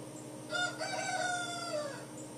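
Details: Farmyard crowing lesson for a young Dark Brahma rooster alongside a crowing adult Plymouth Rock rooster; a single drawn-out crow lasting over a second, slightly falling in pitch, over a steady background hum.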